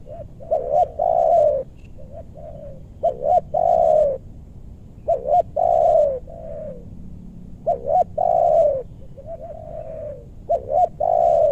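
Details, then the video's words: Spotted dove in meranti forest of west Bogor, Indonesia, used to draw down big-voiced wild birds. Four steady phrases of low, mellow cooing, each a jumpy double note then a long falling coo and quieter follow-up note. "Pikat tekukur ajaran si bucil paksa turun bl suara besar"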